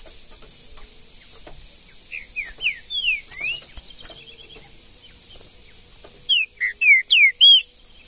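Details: A wild green-winged saltator in the Brazilian bush delivers a phrase of several rapid descending whistled notes, goes quiet, then gives a louder run of five ringing, slurred whistles, with faint high background chirping.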